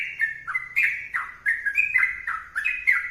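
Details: Short stretch of lively sooty-headed bulbul song: bright, liquid whistles come in small clusters with tiny gaps, over a faint low hum.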